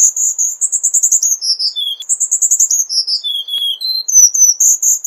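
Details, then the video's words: Cuban bullfinch delivering rapid, very high buzzy trills, each sliding down into lower whistled notes, with the phrase repeated twice and then a rising chirp series. "Negrito Cubano Canto - Cuban Bullfinch Bird Song"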